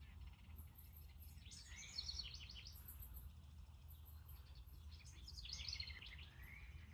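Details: House wren (Troglodytes aedon) sings two rapid, bubbling bursts of chattering notes tumbling downward, in a Pennsylvania garden, one of a pair that has just returned in summer to check out a nest box used for years.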